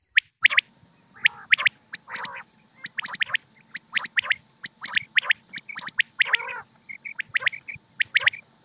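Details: Punjab batair, the common quail, in a hunting recording: a dense overlapping series of short sharp notes and occasional gravelly bursts, with a steady low hum in the background.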